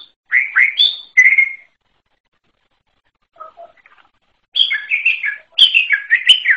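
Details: {'caption': 'Wild greater green leafbird giving a distinctive song in two parts: a few rich warbled notes and a whistle, a long quiet stretch with faint low notes, then a lively burst of tumbling, chattering phrases.'}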